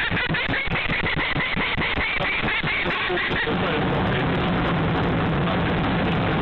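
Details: Peregrine falcon at its nest, defending its egg from a bander: rapid harsh cacking calls repeated several times a second for about three seconds, then heavy distorted wind-like rumble.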